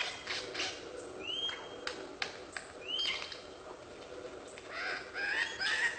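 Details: Lyrebird calling with scattered clicks and two bright upward-sweeping whistles, a pause of softer rustling notes, then a closing series of rising, chattering whistles.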